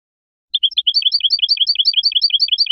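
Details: Spanish goldfinch song from a tutoring recording used to teach young birds: after half a second of silence, a fast, even run of paired high twittering chirps, about seven per second, clean with no background.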